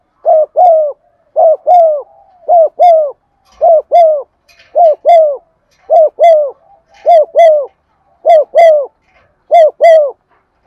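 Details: Lure spotted dove giving stimulating 'giọng son' coos: a steady run of about nine phrases, one roughly every second, each a short hooked coo followed by a longer, lower drawn coo, with faint soft murmurs between.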